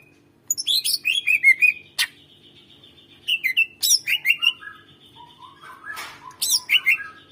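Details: Greater green leafbird song used to coax quiet birds into singing, with bright chirps and slurred whistles in quick bursts, a sharp click near two seconds, then soft rising warbles and more loud varied notes; low background hum.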